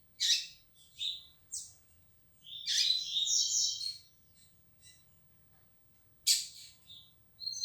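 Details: Young rusty-collared seedeater beginning to sing more firmly: short bursts of high, thin twittering notes and trills, some buzzy, broken by pauses, with a longer warbled phrase in the middle; faint low rumble beneath.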